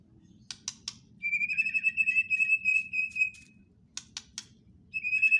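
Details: White-rumped shama: a few dry clicks, then a long, even trill of mid-pitched notes, more clicks, and the trill starting again.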